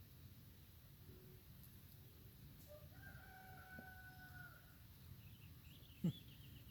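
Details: A distant rooster in a yard with hummingbirds and wild turkeys nearby, May 12, 2026: one drawn-out, wavering crow over a steady low rumble of background noise, and a sharp knock sounds near the end.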